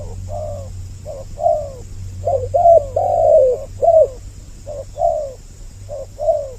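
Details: Spotted dove lure recording with two voices layered, meant to draw males and females close: soft, mid-pitched coos in short bursts, some notes slurring downward, repeated with uneven gaps over a low steady hum.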